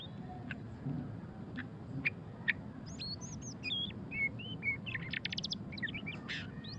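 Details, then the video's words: Murai batu pastol (white-rumped shama) ngeriwik song: sparse clicks at first, then a lively stretch of high curling whistles and a fast rattling burst, against steady low background noise. "suara kicauan burung murai batu pastol ngeriwik - white-rumped shama"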